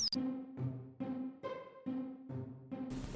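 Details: Rhythmic music in short repeated bursts, with deep drum-like beats under layered synthesizer tones and a burst of noise at the very end.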